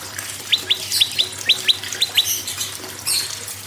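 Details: Prinia singing to spur other birds: eight quick, high, downward-slurred whistles in pairs, followed by fainter chirps and hiss.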